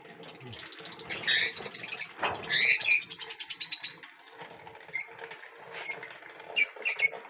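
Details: Lovebird; chatter calls; mating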